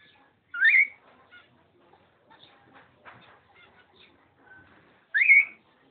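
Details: Two loud, warbled, upward-sweeping whistled calls about four and a half seconds apart, with quiet chatter and faint clicks in between, from a pair of cockatiels recorded 05.06.11.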